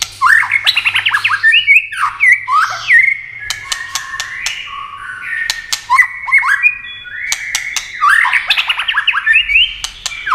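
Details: Duelling white-rumped shama singing at speed while flashing wings and playing its tail: dense run of rich, warbled whistles and quick slurred notes, with scattered sharp clicks and a faint low hum.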